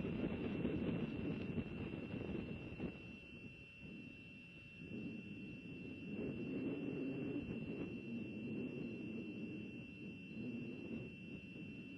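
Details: Low, steady engine-like rumble with a constant high hum and no animal calls.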